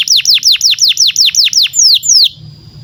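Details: Canary song used to tutor young canaries and prompt silent ones: about eleven loud downward-swooping whistled notes at roughly five per second, ending in a thin held tone.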